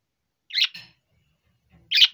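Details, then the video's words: A four-year-old male budgerigar gives two short, scratchy, high chirps about a second and a half apart, with near silence between them. "セキセイインコ♂【鳴き声 】"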